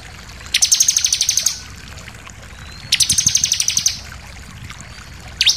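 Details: Two rapid trills of high, sharp, repeated notes, each about a second long, make up this insistent 'nembak' shooting song of a bar-winged prinia, ending with a brief upward sweep.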